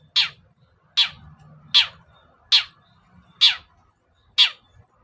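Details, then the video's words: Long-tailed shrike lure sound, used to provoke reluctant shrikes into singing: six harsh, descending rasping notes spaced roughly a second apart, each sharp and scratchy, over a faint low rumble. "SUARA PIKAT CENDET SUSAH BUNYI"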